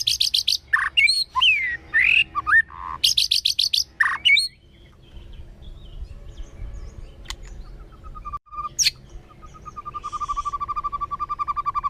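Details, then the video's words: White-rumped shama forest-voice song, kéo thuốc lào style, meant to provoke wild birds: four seconds of fast buzzy trills and sliding whistles, then quiet rural background with a faint sustained whistle and repeated soft ticking. "chòe lửa hót giọng rừng. kéo thuốc lào kích bổi. tiếng chim chích chòe lửa hót"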